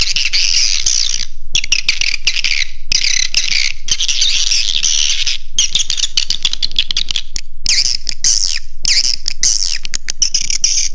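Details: Swiftlet roosting lure call: dense, overlapping high chirps and twitters in rapid, irregular bursts, about two per second, broken by brief gaps, with a constant low hum underneath.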